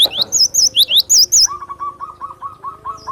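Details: Cinereous tit singing to stir up other birds for song training: fast, high, wavering two-part whistled notes for about one and a half seconds, then a lower, evenly repeated chipping call from another bird.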